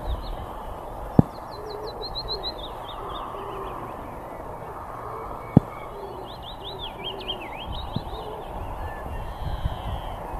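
A wood warbler gives high, thin phrases: a quick descending run of ticking notes, then a wavering trill, over a steady low hiss with a few sharp clicks.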